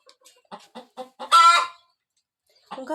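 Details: Village hen about to lay eggs gives several evenly spaced short clucks that build into a single loud, rough squawk, then falls silent before soft clucking resumes.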